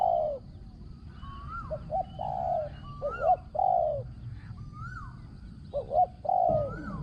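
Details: Spotted dove kept as a decoy for luring, with a small, ringing voice and strong backing coos. Clear, throaty coo phrases with short stuttering notes between them, while another bird gives a rising whistle in the background.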